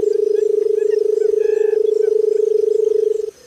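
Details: Barred buttonquail giving a long, low, even hum with a rapid purring flutter, sustained for over three seconds before stopping abruptly.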